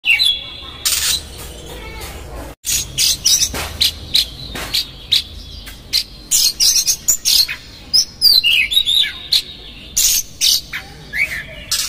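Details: Oriental magpie-robin singing loudly in the konslet style with rough fill-ins, used as a lure to make another magpie-robin angry and fan its tail; high whistled notes broken by many sharp, harsh, broadband bursts in quick succession.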